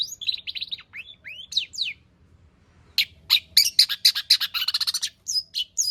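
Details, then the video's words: Cendet, a long-tailed shrike, singing a varied repertoire of learned material as a lure for singing: looping whistled slurs rising and falling, a pause, then dense harsh chattering notes repeated rapidly. "burung cendet gacor FULL ISIAN pancingan Cendet AGAR BUNYI Cendet Bongkar Materi"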